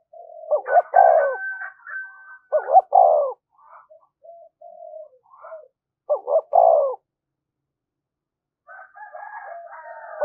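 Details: Spotted dove giving a urging-style coo used to excite decoy birds: two short rising notes then a longer falling coo, repeated three times with pauses, and a fainter higher whistled tone and softer coos between phrases.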